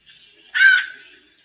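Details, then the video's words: White-necked thrush female singing like a male while warming up: one loud, harsh, buzzy note with layered harmonics lasting about a third of a second, after a faint thin tone. "ESQUENTANDO SABIÁ COLEIRA - FÊMEA MACHEANDO"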